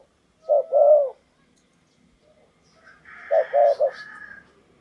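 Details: A spotted dove kept as a tree decoy for a wild dove gives two low cooing phrases separated by a pause; a higher, thin chattering sound overlaps the second phrase.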